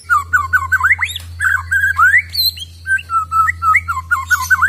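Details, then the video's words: White-rumped shama, wild-caught, in a long continuous song of quick whistled loops, upward sweeps and dipping notes over a steady low hum. "Suara Glondongan Asli Murai Batu Bikin Emosi"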